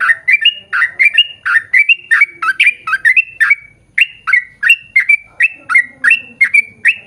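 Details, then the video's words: Extended, lively sooty-headed bulbul song intended to make birds of the same kind sing along: dense series of bubbling downslurred notes with clear whistled ends, one short break near the middle. "KICAU SUARA trucukan gacor ROPEL PANJANG pancingan trucukan agar bunyi MENJADIKAN trucuk gacor NYAUT"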